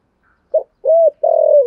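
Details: Decoy spotted dove with a deep earthy voice calling thúc gù: a short clipped note, a rounded coo, then a long buzzy coo slowly falling at the end.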